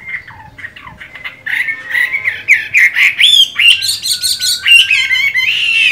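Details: Chinese hwamei with mung-bean green eyes, still in good form while moulting: soft opening chirps swell into loud, rapid, varied whistled phrases with rolling, ringing notes.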